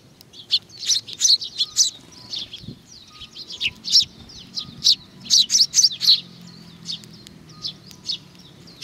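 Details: A flock of sparrows coming for food at Tenmangu, Nakanoshima, 21 June 2020, chattering in dense bursts of high twittering chirps, several birds overlapping, with a faint steady tone in the background.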